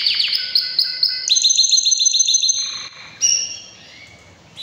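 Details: Canary singing loudly in breeding season: a rapid run of high chirped notes, then a fast even trill of repeated syllables, a sustained pure whistle and brief bright phrases, sung clearly with little background.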